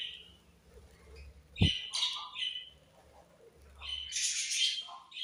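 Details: Budgies give short bursts of shrill chirps and squawks after a quiet opening, with a sharp knock midway, then a dense, loud flurry of high twittering toward the end.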